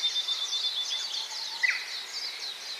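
Gouldian finches give a thin, continuous twitter of high chirps, with one louder, lower chirp standing out partway through.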